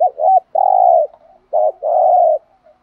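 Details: Spotted dove decoy bird from Dak Lak, Vietnam, singing a lure song meant to draw rival males: paired short hooted coos, each followed by a sustained steady coo, repeated twice in clean quiet surroundings.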